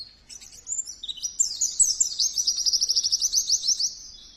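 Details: Pleci or Oriental white-eye in lively full song: rapid, very high-pitched twittering that builds into a fast, even trill of sharp repeated notes, close and clear.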